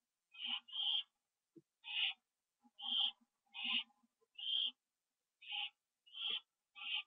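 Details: Pair of owls back at the nest on a September 2011 evening, calling in about ten coarse, breathy screech bursts, some doubled, spaced irregularly, with soft low knocks in the background.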